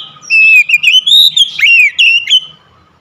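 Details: Oriental magpie-robin, a home-kept bird, in one continuous rich phrase of loud whistles, slurred glides and quick chirps lasting about two seconds, with faint low background rumble.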